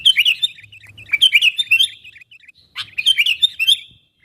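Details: Calling to attract wild birds of its kind, a sooty-headed bulbul gives chattering bursts of bright, bubbly chirps mixed with sharp rasping notes, two phrases separated by a short gap.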